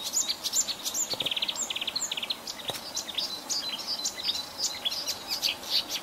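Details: Sedge warbler singing a varied song: quick bursts of repeated buzzy notes in short trills, mixed with sharp high chips and scratchy twitters, over a faint noisy background.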